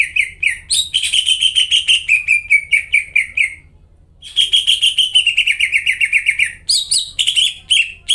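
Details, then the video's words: Energetic greater green leafbird song meant to provoke non-singing leafbirds. Two long runs of fast, descending slurred whistles are split by a brief silence, and a jumpier, higher-pitched passage follows, all over a steady low hum. "PANCINGAN CUCAK IJO GACOR BUAT CUCAK IJO YANG KONSLET DAN MACET BUNYI"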